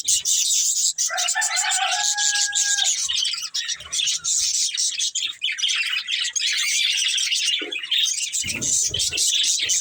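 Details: Budgerigars of a breeding pair keep up a continuous high, scratchy chatter of rapid chirps and rasping notes, with a steady lower tone in the first few seconds and some clicking thuds at the end.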